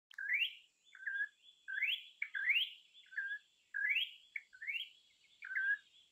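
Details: Campo troupial song, an imported bird used as a master recording: rising whistled notes alternating with short falling slurred phrases, repeated in a steady flowing sequence, clear and loud with a faint steady hiss behind.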